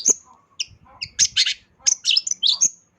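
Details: Actively singing long-tailed shrike with a mimicry-rich song for training pet birds; brief piercing whistles and raspy bursts in scattered groups, with occasional low knocks.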